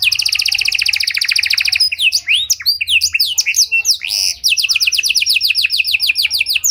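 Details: Singing Panda canary in luxurious 'cengkok mewah' style, played to draw out other canaries: an opening fast rattling trill, a stretch of varied swooping whistles, then a second quick repeated trill.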